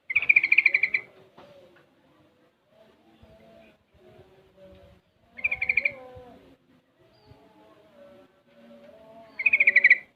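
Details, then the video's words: Six-month-old sooty-headed bulbul, very active, learning ropel and garuda song styles: three loud bursts of rapid buzzy pulsed notes, at the start, middle and end, separated by soft low warbling murmurs. "BURUNG TRUCUKAN MACET BUNYI LANGSUNG RESPON MENDENGAR SUARA TRUCUKAN MUDA INI"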